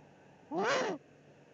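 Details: Eurasian eagle-owl pair in the Eifel, 13 March 2019, during a food drop by the male for the female, the prey probably a pigeon. One short, grating call swells and falls over half a second, then silence.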